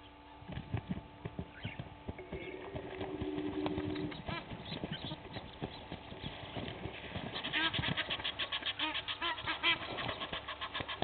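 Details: Two Egyptian goose families clashing at a waterhole on Djuma Game Reserve in South Africa's Sabi Sand, just after six in the morning: dense, rapid, harsh honks and cackles building toward the end, with a constant background hum.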